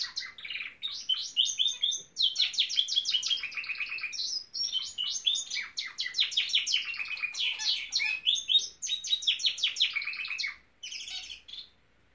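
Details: Norwich canary delivering a long, continuous song of fast, buzzy trills and rolling chirp series that change pattern every second or two, ending abruptly.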